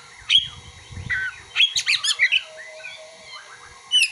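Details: Magpie-robin song with mimicked prinia and sunbird calls: an isolated sharp chip, a soft slurred note, then a fast run of six stuttering chattered syllables, ending in a lone high whistle.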